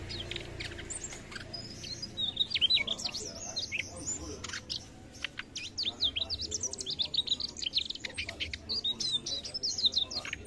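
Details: Mugimaki flycatcher singing energetically: rapid high chirps, short whistled slurs and sharp ticks running almost continuously, with some faint background noise.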